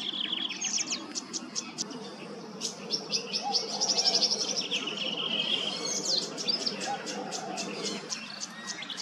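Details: Tawny grassbird in Queensland, Australia, calling with quick runs of thin, high chirping notes and a short trill, over a soft background hum.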